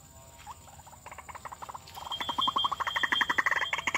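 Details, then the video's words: A White-breasted Waterhen decoy used to lure wild birds gives a fast run of hard, croaking notes, about four per second, building in loudness and pitch, with a thin steady whine behind. "Hasil Denak Pemikat Burung Ruak-Ruak Memikat/White-breasted Waterhen"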